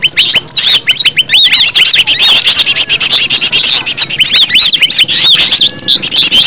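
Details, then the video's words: Natural green leafbird song used to draw out a reply; repeated arching whistled notes in quick series, rising then falling, mixed with scratchy chatter in a continuous, energetic flow. "Cucak ijo suara alam suara asli"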